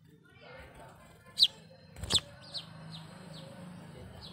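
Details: Brahminy starling (Sturnia pagodarum), seen drinking water and collecting nest sticks, giving brief, high, downslurred chirps spaced under half a second apart, with sharp clicks and a low hum.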